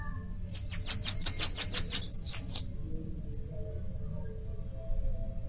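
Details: Bananaquit song: a fast run of about nine high, thin buzzy notes, evenly spaced, ending in a brief higher note; quiet background otherwise.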